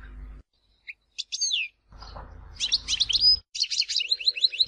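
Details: European goldfinch from Tizi Ouzou, Algeria, giving a few isolated chirps and a slurred note, then a rapid jumbled twitter of high metallic notes with brief pauses between phrases.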